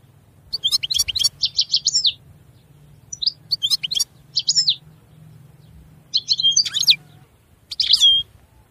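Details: European goldfinch giving brief clusters of rapid, bright twittering notes with short gaps between phrases, over a faint low hum.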